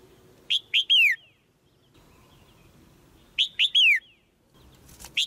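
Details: Female white-eye calling from a cage to excite the male into stronger song: twin bursts of three high chirps, the final one sliding downward, about three seconds apart, then a lone chirp.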